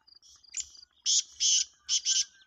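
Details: Black francolin calling: a series of loud, harsh, grating bursts, two pairs of broad rasping notes, over a steady high-pitched insect trill.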